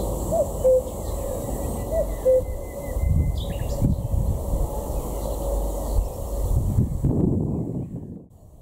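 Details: A distant common cuckoo at the north-eastern city border of Berlin in May 2017 gives two soft, falling 'cu-coo' calls about a second and a half apart, half-buried under steady wind rumble.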